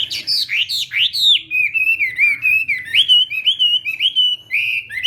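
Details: Chinese hwamei in contest singing, morning voice training: loud clear whistles, first high swooping slurs, then a steady chain of short warbled notes repeated several times a second.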